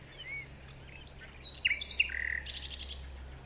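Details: Forest birds chirping at morning: a soft rising whistle, then loud downslurred chirps and a rapid high trill, over a low steady hum.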